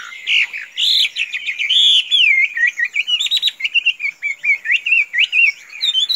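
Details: Tame Chinese hwamei, able to be let out without flying away, pours out a choppy, jumpy series of short whistled notes, loud and fairly steady in pace throughout.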